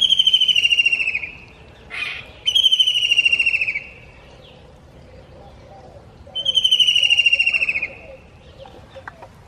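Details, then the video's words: Ruddy kingfisher giving three drawn-out, descending trilled whistles, each a little over a second long, with brief faint chirps between. "Red Kingfisher birds sweet sound"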